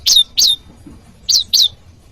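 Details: Bar-winged prinia voice used to draw in wild prinias and train caged birds: four harsh, buzzy, high notes in two pairs, each note rasping and slightly falling, with quiet gaps between.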